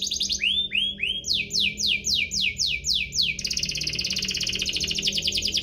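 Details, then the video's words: Canary singing chirps and rolls as a lure for lazy singers: three rising slurred notes, then a run of quick descending sweeps, then a sustained rapid buzzy roll. "Kenari Gacor cuit-cuit ngerol, pancingan untuk burung kenari malas bunyi"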